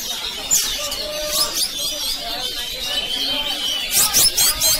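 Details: Caged Oriental magpie-robin, a debut bird at a songbird contest where it placed on the podium, delivering loud, dense, rapid high-pitched whistles and chattering trills with sweeping notes, over a background of voices and contest noise.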